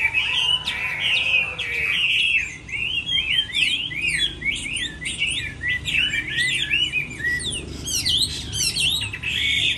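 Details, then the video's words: Chinese hwamei singing in a contest during the moulting season: a long run of rapid, steeply slurred whistles and chirps, loud throughout, with varied repeated phrases. "Họa mi hót đấu mùa thay lông"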